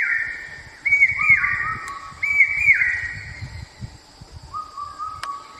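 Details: Common hawk cuckoo, a brood parasite of babblers and crows, in Central India, giving its 'brain fever' call: loud, shrill, high whistled phrases, repeated several times, with a steady insect hum behind.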